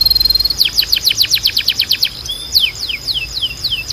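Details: Canary training song meant to stimulate singing in young birds: a fast, rhythmic trill of high, sharply falling notes, about four per second, shifting into slower sweeping whistles with a thin sustained tone behind.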